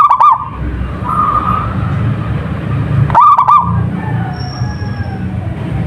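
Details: Zebra dove, a local bird, sings two bubbling, stuttering coo phrases, one at the start and one about three seconds later. Faint sustained whistly tones and a low rumble run underneath.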